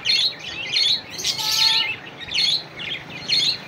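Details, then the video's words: Budgerigar calling to a rival, giving bursts of scratchy, chattering warbles about every second, with a brief clear whistled note between bursts. "suara parkit memanggil lawan"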